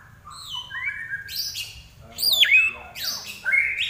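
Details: Common iora singing actively (gacor), giving clear level whistles that step up and down, then sharp downslurred and upswept notes in quick succession.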